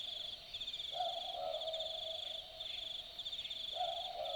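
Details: In the bush of Dharug National Park, Australia, an Australian boobook calls at night with two typical two-note boo-book calls about three seconds apart, a higher first note then a lower one. A pulsing high insect chorus runs throughout.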